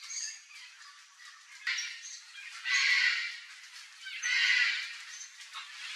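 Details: Wild red-and-green macaws feeding on ripe mango give harsh, raspy squawks, two loud bursts about a second and a half apart, over a hiss of softer chatter.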